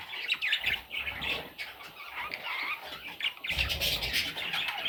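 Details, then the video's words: Young parrots giving scratchy, squawking calls that overlap continuously, with a burst of harsher noise and low rumble near the end. "Parrot Chicks"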